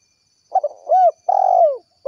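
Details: Spotted dove in the gacor 'kuk 1' calling style, calling to its companions: a short stuttered pair of low notes, then a smooth hooting coo and a long drawn-out coo that falls at the end, with a clean, quiet background.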